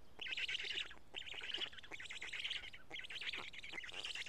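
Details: Black storks at a nest in Karula during a feeding on 31 May 2017 at 12:47, chicks picking pieces from two big fish; harsh, buzzy, rasping bursts repeat rapidly in dense runs, with brief pauses between groups.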